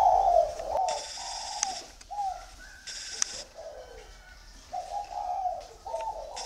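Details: Spotted doves kept at a bird garden in Ba Vì, Hanoi, Vietnam, cooing in soft, hollow notes strung into loose phrases. The cooing is broken by two sharp bursts of hissing noise.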